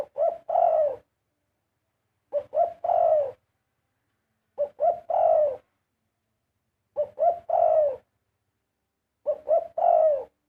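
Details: Steady Spotted dove singing: five identical three-part phrases, two quick coos and then a long mellow coo, repeating about every two and a half seconds in a quiet background.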